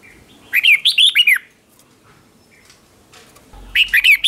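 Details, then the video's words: Red-whiskered bulbul decoy song meant to call in other bulbuls, competition singing: a brief burst of lively looping whistles rising and dropping, a long quiet gap, then another quick whistled phrase at the end. "Tiếng chào mào mồi gọi là đến, Chào mào mồi gọi bổi không tạp âm"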